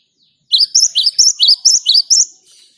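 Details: Great tit in a vigorous rolling song (ngalas ngerol gacor style) used as a lure to make other birds sing: a quick burst of about eight high, sharp, two-part chirps, evenly spaced after a short silence.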